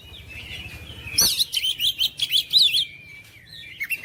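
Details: Kacer, or oriental magpie-robin, song aimed at goading silent birds: a thin sustained whistle, then a sharp rapid series of zigzagging chattering notes, fading back into soft whistling.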